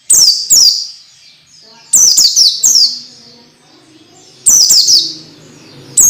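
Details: Orange-headed thrush (peleci) masteran tutor sound, played to get untrained birds singing quickly and persistently: bursts of two or three shrill, high whistles, each sweeping sharply downward, separated by pauses of about two seconds, with a faint low hum beneath.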